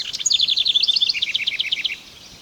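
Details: House Wren in Oldman River Valley woodland, southern Alberta, in early July, inspecting a potential nest site in a hollow tree, sings a fast, bubbling run of about fifteen rapid notes, first jumbled and high, then a steady rattling series dropping slightly in pitch.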